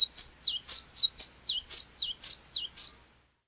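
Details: Canário-da-terra, the saffron finch of Brazil: bright high chirps alternating with slightly lower notes, about two per second in a steady lilting series, ending after three seconds in quiet.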